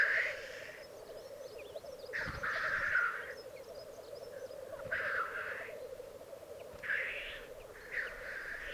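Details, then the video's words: Male black grouse displaying at an alpine lek in Piedmont, Italy, 2022. A low bubbling rookoo chorus is steady, while a hissing sneeze bursts out roughly every two seconds. "Parate dei Galli Forcello"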